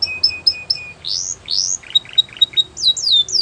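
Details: Canary training song for young birds, mixing Russian and Belgian canary styles: a run of short high notes, then rising sweeping whistles, soft burbling trills and bright downslurred phrases.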